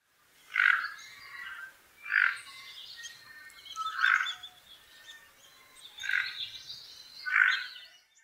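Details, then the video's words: Tufted duck giving its ground call, five harsh, growling croaks spaced about every one and a half to two seconds, over faint background noise. "キンクロハジロ 地鳴き"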